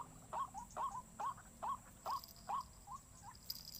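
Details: White-breasted waterhen giving rhythmic rising calls, some followed by a softer second note, paced roughly twice a second against low background noise.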